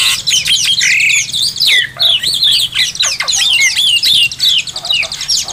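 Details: Oriental magpie-robin (kacer) master song: a varied medley of fluty whistles, quick rising and falling slurs and rattling trills, delivered loudly in near-unbroken phrases.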